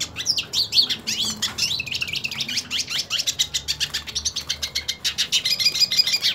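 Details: Hooded siskin, a purebred bird, sings aggressively as it seeks a fight with a rival of its own kind; rapid high twitters and slurred whistles run together, ending in a dense buzzy trill, over a soft low hum.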